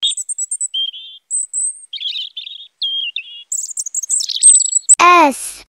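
A robin sings a varied run of high, thin warbles and short trills, with brief pauses between phrases. A loud downward-swooping tone ends it.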